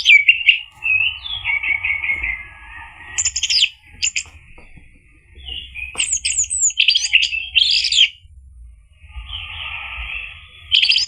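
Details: Orange-headed thrush lure song to make a bird answer: stuttered whistled notes, then several bursts of harsh, high chattering and mimicry separated by pauses, closing with a soft warble over a low hum.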